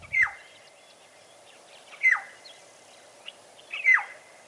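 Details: Black-headed oriole (Oriolus larvatus) in the morning gives three very clear, slurred whistles dropping sharply in pitch, about two seconds apart, over a constant quick high whistle, thought to be a pied wagtail on the river bank.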